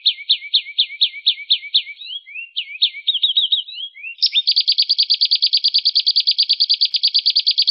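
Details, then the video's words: Canary in lively rolling song: a row of sharp descending chirps, short twittering bursts, then a long rapid machine-gun roll of bright, evenly spaced notes, used as a master for songbirds. "Suara Kenari GACOR"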